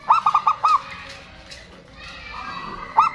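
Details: Local zebra dove, perkutut, a lure for birds that went quiet: four quick bouncing coos at the start, a hissy pause, then one more hooked coo at the end.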